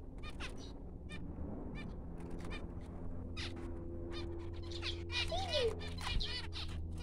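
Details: Newborn finch chicks calling in quick, thin, stacked chirps, sparse at first and then denser toward the end, with a constant low droning hum underneath.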